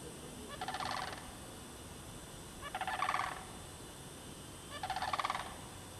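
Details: Sandhill cranes in the bog of Derby Reach Park, March 2009, with mating behaviour noted. Three loud rolling, rattling bursts, each about half a second to a second long, come roughly two seconds apart over a steady background hiss.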